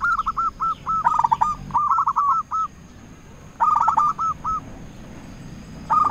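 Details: Zebra dove, a local lure bird singing often to call rivals: bursts of quick, rolling staccato coos, each ending in a few spaced, drawn notes. Phrases repeat after short pauses, some overlapping, over a steady background hiss.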